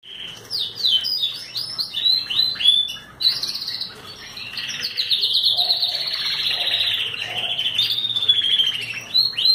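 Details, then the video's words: Young Belgian canary of no defined breed singing while sunbathing: rapid high chirps and slurred notes, then a long, continuous rolling trill held steady for several seconds. "Canário Belga vocalizando"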